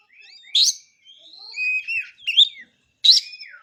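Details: Oriental magpie-robin (kacer) singing: short sharp whistled notes and longer slurred whistles, some rising, with brief pauses between phrases.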